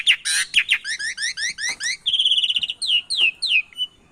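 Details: Javan pied starling mixed with canary song as a training recording for prompting silent starlings: harsh bursts lead into a fast series of rising whistled notes, a rattling trill, then several long falling whistles.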